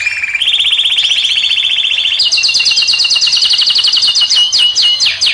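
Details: Moroccan-type European goldfinch song meant to draw a female: a short low trill, a long rapid rolling trill, then a higher fast-pulsed trill with sweeping notes, continuous and loud.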